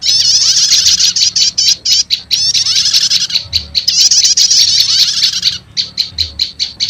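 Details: Lure sound for trapping wild prenjak lumut, blending two prinia types: long, loud, high buzzy trills broken by quick runs of separate sharp chirps, with the trilling making up most of the stretch.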